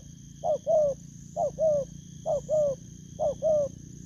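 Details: Recently caught wild spotted dove giving its cooing call in August 2024: four evenly spaced two-note coos, a brief upslurred hoot followed by a longer drawn-out falling one.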